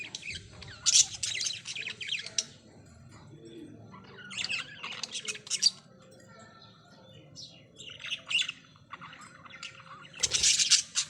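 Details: Chirping parrots give raspy, noisy squawks and rapid chatter in uneven bursts, with a loud harsh outburst near the end over a quiet low background rumble.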